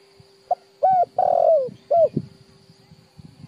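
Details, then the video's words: Spotted dove calling, used to train decoy birds: a short soft note, then two low mellow coos and a longer drawn-out coo, over a steady faint background hum and light rustling. "chim cu gáy gọi hay cực chuẩn dùng tập bổi kích mồi"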